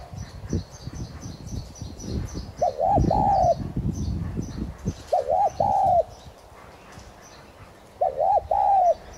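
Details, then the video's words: Decoy Spotted dove (tigrina) making the 'thúc gù' call to rouse other doves: three clipped coo phrases of hooting notes spaced about three seconds apart, with low thumping and rumbling handling noise early on. "Chim cu gáy THÚC GÙ Giọng CỰC HAY kích bổi"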